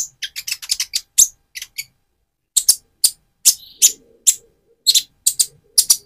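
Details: Van Hasselt's sunbird, still moulting toward metallic feathers, used to excite a rival: a quick burst of high ticking chips, then a pause, then spaced sharp clicks with one brief thin whistle.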